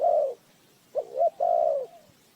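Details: Spotted dove cooing as a decoy for bird trapping: one long, low, steady coo, then a pause and a phrase of two short rising notes before a drawn-out, slightly falling coo.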